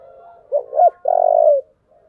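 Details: Spotted dove in 'giọng thổ' style calling to spur a fight. One phrase of two short throaty notes leads into a sustained, husky, falling coo lasting about half a second, over faint soft background cooing.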